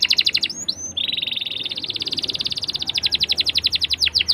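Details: Singing canary heard as a lure for juvenile canaries learning their song; quick chips, then a sustained buzzy rolling trill that shifts into evenly pulsed high notes about ten per second.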